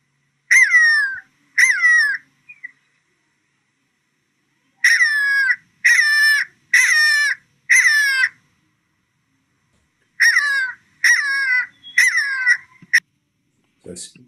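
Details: A Jackal buzzard gives loud, harsh, yelping calls that slur downward in short bursts. The call resembles a black-backed jackal's and gives the bird its name.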